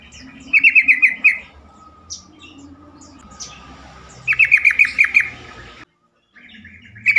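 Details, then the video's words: Sooty-headed bulbul song used as a lure to prompt other bulbuls to answer and sing more often: two bursts of quick, bubbly, bright notes about three seconds apart, with quiet low hum between. "pancingan trucukan terkomplit sangat bagus untuk membuat trucukan lain lebih gacor"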